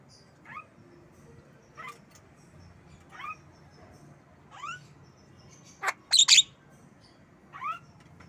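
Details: Javan myna kept as a pet, giving short rising whistled calls about every one to one and a half seconds, then a cluster of louder harsh, buzzy notes near the end, over a faint low hum.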